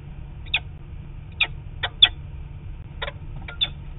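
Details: Peregrine falcon, probably the male, calling far off as the adult pair flies, 4 October 2017 camera recording: a few scattered harsh, sharp notes at irregular gaps over a low background hum.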